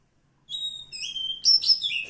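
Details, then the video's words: Wild oriental magpie-robin from the forest giving sustained clear whistles followed by a burst of fast, sweet, varied notes. "suara asli kacer hutan"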